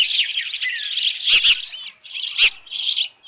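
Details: Osprey at the Dunrovin Ranch nest holding a headless fish, 10 June 2018, 6:41 PM. A steady stream of shrill, wavering chirps with brief pauses, plus two or three loud knocking clicks.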